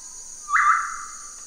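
Black-capped Tinamou: a single pure, mellow whistle that lifts, then holds and slowly sags for about a second, over a steady high hiss.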